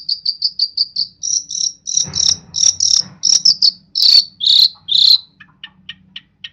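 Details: East Javan long-tailed shrike in lively song packed with imitated phrases: a fast train of loud, high, clipped notes repeated about twice a second, turning into harsher buzzy bursts, then softer scattered ticks.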